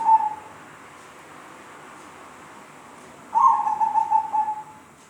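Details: Zebra dove with an odd voice: the tail of one soft whistled note at the start, a long quiet gap, then a fuller phrase of pulsing whistled notes drifting downward and fading out.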